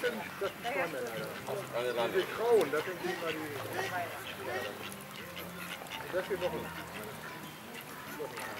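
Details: Mallards (Anas platyrhynchos) fighting at Walsrode, Germany, on 11 September 2011: irregular bursts of nasal, harmonic quacks and grating calls, several birds overlapping, with a busy background.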